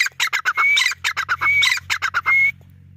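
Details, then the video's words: Grey francolin giving a fast run of harsh, chattering notes, each phrase closed by a thin rising whistle, three phrases in under three seconds over a steady low hum. "Grey francolin call"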